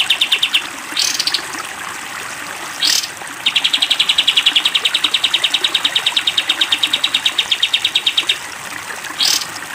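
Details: Cage-bird training recording of a sooty-headed bulbul's long-fire 'tembak panjang' song: rapid, uniform chip notes in a sustained train of about five seconds, with water gushing between phrases.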